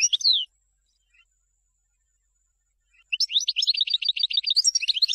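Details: European goldfinch song selected for teaching young birds: a brief twittering burst, a long pause, then fast repeated high tinkling notes with buzzy trills, all bright and high-pitched.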